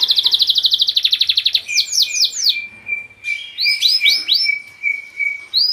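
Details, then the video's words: Caged Spanish Giboso canary song: a rapid metallic trill of about twenty pulses, then looping falling whistles over a steady lower sustained tone, with slurred notes returning in bursts. "صوت تغريد جميل للكناري"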